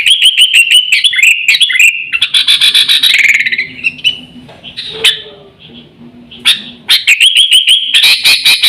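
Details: Lure call of the sooty-headed bulbul, used to draw birds in and train pet birds: fast clipped chirp series, a slurred warbling passage, a quieter gap with faint low murmuring, then chirping resumes.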